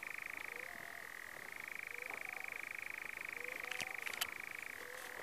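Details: European nightjar in the New Forest, UK, 6 June 2018, giving a continuous rapid churr that drops slightly in pitch early on, rises again and shifts lower near the end, with a few faint ticks and a high click.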